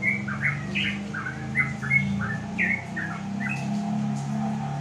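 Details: Sooty-headed bulbul singing on a house porch in the afternoon to call rivals, which reply; a run of clear, chortling whistled notes rising and falling, with a low droning hum behind.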